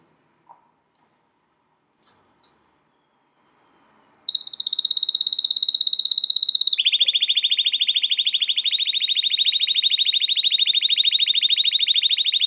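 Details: American Singer canary training song. Quiet at first with faint clicks, then a brief high whistle. A rapid, buzzy rolling trill follows, steps down to a lower pitch, and keeps going steadily to the end.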